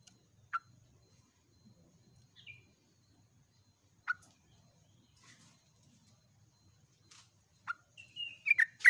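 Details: A vocal yellow-vented bulbul recorded at dawn gives scattered sharp chipping notes a few seconds apart, then breaks into a long, quick, bubbly warbling phrase at the end.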